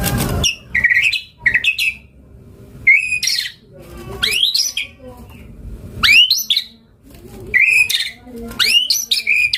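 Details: Murai batu, the White-rumped shama, giving gacor song with isian: sharply rising upswept whistles and chirps in short bursts every second or two, separated by brief quiet gaps.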